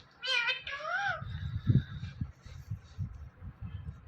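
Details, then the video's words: Pet Indian ringneck parrot, a word-mimicking talker, gives two nasal, meow-like syllables, the second rising and falling, then only faint calls and low indoor rumble with a single knock. "Talking Parrot Saying Mithu Mithu"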